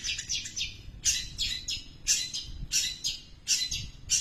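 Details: Long-tailed shrike singing a very long stretch of imitated house sparrow calls: bursts of high, harsh chirps in quick clusters, about every half second to a second, over faint low background rumble.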